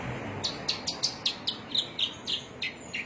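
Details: Javan myna chirping in Cilacap, Indonesia: a run of about eleven short, sharp, high chirps, evenly spaced roughly every quarter second, with a faint steady hiss behind.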